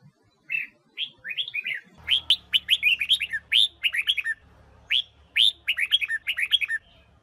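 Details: Female red-whiskered bulbul from Huế sings short bursts of bright, bubbly whistled notes, rising and falling in quick phrases with brief pauses, over a faint low hum; used to stimulate young males to sing.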